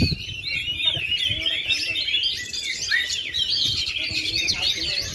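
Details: Singing Oriental magpie-robin, still at full power after 2.5 years without molting, delivering a continuous rush of sharp high chirps, trills and whistled flourishes over low background rumble.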